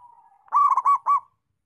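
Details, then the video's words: A single loud song phrase from a local zebra dove: a soft level trill leads into three or four fast, bubbling rolled coo notes, all over in about a second. "Perkutut Lokal Gacor"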